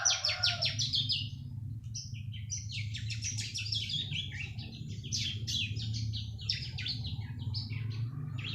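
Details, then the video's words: Young bar-winged prinia, three months old, opens with fast descending high notes, then a jumbled, irregular stream of high chirps and downslurs over a noticeable low rumbling hum. "BURUNG CIBLEK UMUR 3 BULAN"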